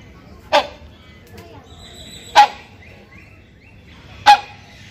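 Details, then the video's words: Hornbill of genus Buceros, a male calling for a female in the breeding season, gives three booming honks spaced roughly two seconds apart, with faint thin chirps from other birds between them. "SUARA KERAS PANGGILAN BURUNG RANGKONG BIRAHI"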